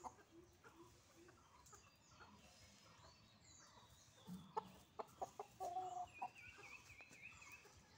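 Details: Rooster and hens in a morning rush, clucking steadily. Low murmurs give way to louder sharp clucks, then a brief drawn-out tonal cackle near the middle, with faint higher chirps and a constant low rumble behind.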